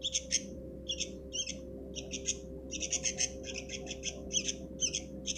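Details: Sooty-headed bulbul chick uttering rasping, buzzy squawks in short groups, becoming a faster, steadier run in the second half, over a constant low hum.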